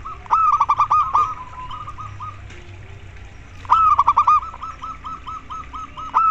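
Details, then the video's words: Koar koar song of a local zebra dove, used to stimulate caged doves into singing: bursts of rapid, clipped ringing coos, then a quieter steady run of hooked notes, and a fresh burst at the close. "perkutut lokal terapi koar koar agar cepat manggung"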